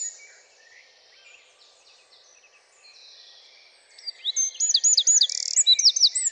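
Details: Eurasian wren, Troglodytes troglodytes, from a recording of French garden birds: faint high notes at first, then an explosive run of loud, rapid, ringing trills and sharp repeated notes.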